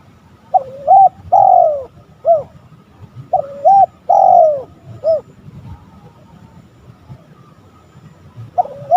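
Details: Male-provoking spotted dove coos. Two full phrases of a looping double note, a long sliding coo and a short final note, then quiet, with another phrase starting at the end.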